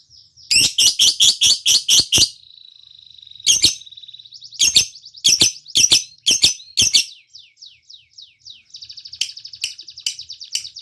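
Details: Lovebird in lively full song, used to prompt other lovebirds to sing: fast bursts of sharp high chirps, a steady thin whistle, then further chirp runs and a quick trailing twitter.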